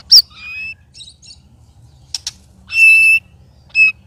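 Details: White-rumped shama song recorded while three birds spar, giving strange, loud sounds: brief high whistled notes, sharp clicks, and a strong buzzy trilled phrase near the end, with a soft low hum underneath.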